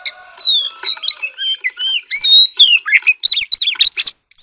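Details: White-rumped shama kept as an ornamental bird, prompted into competitive singing: a rich run of varied whistled notes, slurred rising and falling phrases and sharp chips, dense and fast, with a steady high tone underneath throughout.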